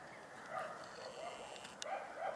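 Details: Hooded crow calling: four short, hoarse, rasping notes spaced unevenly over two seconds against a steady background hiss.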